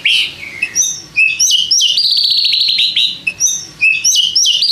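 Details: White-rumped shama song meant to provoke rival shamas to answer, a dense run of high whistles, sharp chips and a long rapid trill, delivered almost without pause.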